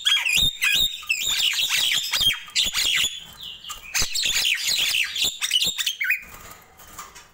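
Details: Nias hill myna in the morning, busy squawking song with fast downward-sweeping whistles, a clean sustained whistle partway through, and chattering fading toward the end.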